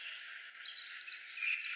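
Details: White-eye singing: four or five high, sharp notes, each sliding downward, given in a quick burst after half a second of quiet hiss.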